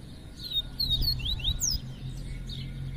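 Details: Male Double-collared seedeater kept in a cage in Brazil sings a rapid run of thin, slurred whistles that sweep up and down, over steady low rumbling background noise.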